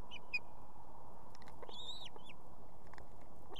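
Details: Osprey female at a nest with two chicks in Estonia, summoning the male to deliver fish in the evening: a few quick downslurred whistles, then a loud arched whistle and a shorter follow-up note, against constant low noise.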